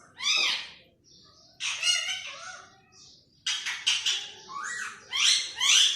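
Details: Parrot-voiced human imitation from a green pet bird: a descending squawk, a buzzy phrase, then rapid clicking syllables and two loud grating calls.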